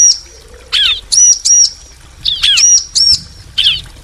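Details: Bar-winged prinia, female and male answering each other: sharp high chips in doubles and triples, interleaved with lower slurred notes, repeated about every second.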